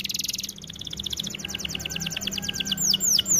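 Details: Singing canary used as training material, opening with a dense buzzy high trill, then shifting to a quick series of clipped notes that slows into looping down-curved whistles toward the end.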